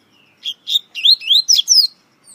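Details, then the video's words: Double-collared seedeater, a Brazilian coleiro considered one of the best in the country and recorded on many CDs, delivers seven clear, ringing upslurred whistles in quick succession, each sweet note slightly higher and brighter toward the end. "COLEIRO REI DAVI UM DOS MELHORES DO BRASIL, TEM MUITOS CD'S GRAVADO"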